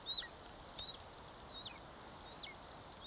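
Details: Estonian golden eagle chick aged one month, feeding at the nest, 25 May 2022, from a live cam: a few sharp, high piping notes that drop in pitch, irregularly spaced, with soft rustling between them.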